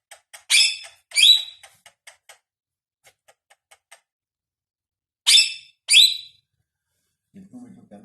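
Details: Pakistani ringneck parrot talking indoors: two pairs of short, harsh, harmonic syllables, each pair a quick double burst, separated by a few seconds of near silence with faint clicks, then a low murmur at the end.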